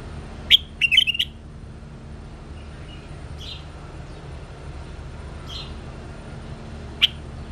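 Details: Singing bulbul gives a brisk phrase of clear, whistled, slightly warbled notes early on, followed by a few soft scattered notes and one more sharp whistle near the end over a steady low hum.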